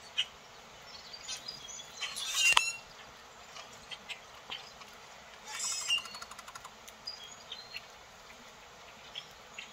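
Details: Grackles, a flock of 70 or more north of town, flying between treetop and seeds on the ground: harsh squeaky bursts and sharp chips, with two louder rattling outbursts among scattered high notes.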